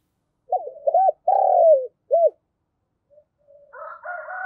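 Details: Decoy spotted dove calling to lure wild doves in the morning: a cooing phrase of short notes, a long drawn-out falling coo and a final short note, followed by fainter cooing from another dove.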